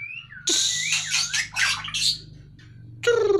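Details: White-rumped shama from a cage, taken out to burn off fat, sings a short rising whistle, then a burst of loud scratchy notes, a quiet gap, and a harsh nasal call, over steady low humming.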